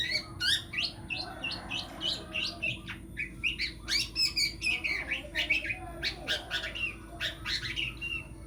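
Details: Long-tailed shrike, a prospective champion songbird, giving a loud, busy run of sharp chirps and harsh, scratchy notes, some sliding up or down, in quick bursts about twice a second, over a steady low electrical hum.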